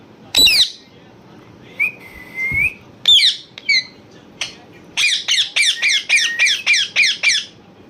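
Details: A parrot giving loud harsh squawks and a drawn-out level whistle, then a fast run of about ten repeated rasping notes near the end, with steady low background hum throughout.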